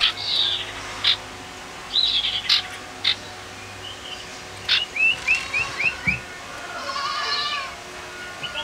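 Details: A tame male common iora, agile and singing actively, mixes brief high chirps with a run of five quick, upward-curving whistled notes and softer warbling, with a faint low hum underneath.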